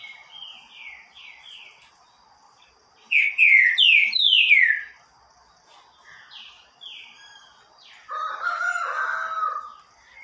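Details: A green-winged saltator (Saltator similis) sings loudly, a phrase of four rich, downslurred whistles with softer whistled phrases before and after and a harsher, lower chatter near the end.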